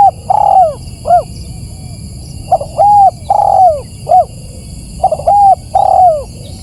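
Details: Looped spotted dove lure call for attracting birds: repeated cooing phrases, a short coo, a paired coo, then a drawn-out falling coo, cycling about every two and a half seconds, loud and distorted over a steady low rumble.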